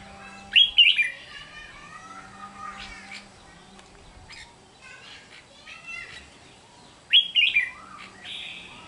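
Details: Wild-type red-whiskered bulbul (Pycnonotus jocosus) recorded 8 June 2023, delivering loud, bright warbled phrases at the start and near the end, with softer chattering notes between and a faint steady hum.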